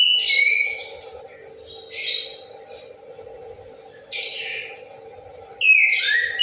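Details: Morning song of an orange-headed thrush sung out loudly, with four strong bursts of rich whistles mixed with harsh, scratchy notes, roughly two seconds apart, and a constant low hum behind.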